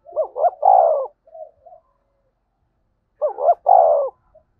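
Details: Spotted dove, 'gáy thúc' and 'gáy gọi' calling to stir wild doves to reply: two loud phrases, each with two rising hooked notes and a long warm coo, separated by a few soft trailing notes and silence.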